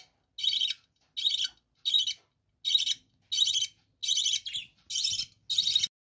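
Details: Captive budgerigars, called parakeets, in a bird room: a run of eight short, high chirping bursts, each about a third of a second long and roughly evenly spaced, with a harsh, scratchy warble and near silence between them.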